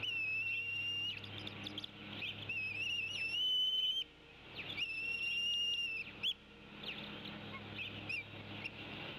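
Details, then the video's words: Two long, thin, wavering whistles from a nesting female bald eagle tea kettling toward her mate while both parents feed an eaglet, with rustling and camera hum between them. "Dad ignores Mom's tea kettling & wins"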